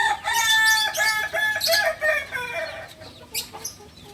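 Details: Novice Kukuak Balenggek rooster native to Solok, West Sumatra, delivers a loud crow for almost three seconds, its tone breaking into distinct descending steps, then trailing off into faint clicks.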